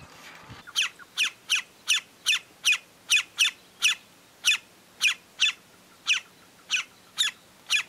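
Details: Greyish saltator (Saltator coerulescens) recorded while feeding in Esperanza, Santa Fe, Argentina, in 2022: a steady series of about fifteen short, sharp high chip notes, roughly two every second, over a faint hiss.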